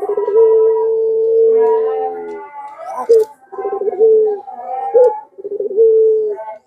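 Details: Barbary dove of the pelung kind, a lure to make other doves reply: one long steady coo of over two seconds, then several short bouncing rolls each ending in a brief held note.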